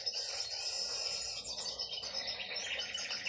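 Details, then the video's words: A hen canary sings a continuous, high, rapid warble of fine trills and twitters, with no pauses over three seconds. "Hen canary singing!"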